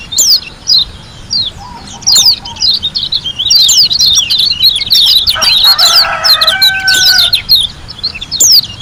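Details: White-eye from Lombok in a long, continuous 'ngalas' song with rapid bursts: dense, high twittering of quick downslurred and rising notes almost nonstop, with a few lower tonal notes midway.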